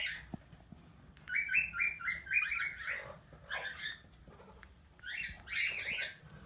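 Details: Plum-headed parakeet kept as a tamed talking pet, giving a quick run of thin squeaky chirps, then harsher broken notes and a final loud scratchy burst.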